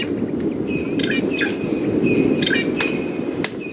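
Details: Drongos fluttering about and catching insects close to a safari vehicle on a September 19 morning drive, before rain, give sharp, metallic chirps and quick whistled notes, several a second at high pitch, over a steady low engine rumble.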